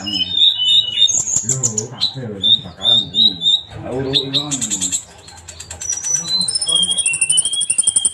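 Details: Sunbird song: high, sharp whistled and trilled notes around the upper register, short phrases repeated quickly, interrupted by a man speaking at length between bursts.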